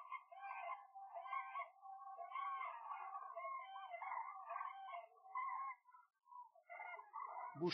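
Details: Cranes gathering at nightfall on the Gallocanta lagoon shores in Spain, standing in the water; a steady chorus of rolling, overlapping trumpeting calls, ending with a sudden low thump.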